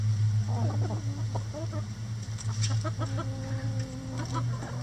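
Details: Chickens pecking at a cabbage ball hung in their run as coop enrichment. They give short clucks in a quick, uneven series, some overlapping, over a steady low mechanical hum.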